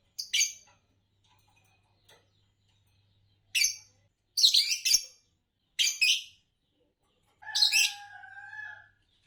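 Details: Harsh high chirps from a green Fischer's lovebird of champion song-competition stock in Indonesia, single and paired bursts, the last one trailing into a lower whistled tone.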